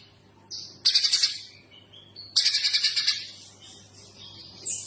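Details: Streaked spiderhunter calling: a faint high whistle, then two loud bursts of quick, piercing chips a little over a second apart, followed by softer thin notes and a brief final call.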